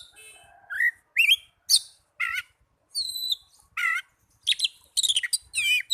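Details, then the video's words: Oriental magpie-robin song meant to get caged birds singing: spaced phrases of clear whistles, a long high tone and harsh rasps, turning denser toward the end. "Pancingan burung kacer agar cepat gacor"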